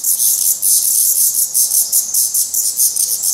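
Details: At a Portuguese black redstart nest, fledglings still fed by the adults give high, hissing pulses repeated about four times a second, steady and evenly spaced throughout.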